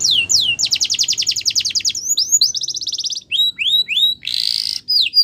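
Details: Canary song of falling whistles, a long fast trill, curved slurred notes, a short harsh buzzy burst and a final downslurred whistle.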